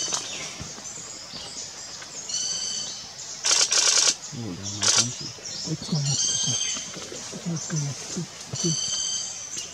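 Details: Speckled piculet (Picumnus innominatus) in India, pecking at a thick branch and climbing a liana, giving thin, high, squeaky notes in quick short series with sharp tapping bursts, people speaking softly in Spanish.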